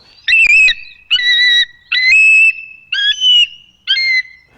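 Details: At a wild bald eagle nest on the Ottauquechee River in Quechee, Vermont, with an eaglet hatched April 24 being fed, a Bald Eagle gives five thin, high whistled screeches, slurred rising and falling, spaced roughly a second apart.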